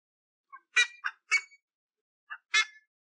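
An ibis gives harsh, honking croaks in a quick burst of three, then two more.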